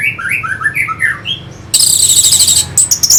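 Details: Short burst of orange-headed thrush song used to rouse fighter birds: a string of bouncing whistled notes, a brief pause, then a loud, buzzy, high-pitched churring.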